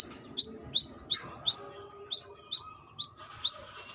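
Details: Female brown-throated sunbird, calling to a male, repeats bright, high, downslurred chirps at an even pace of about two a second, eight notes in all.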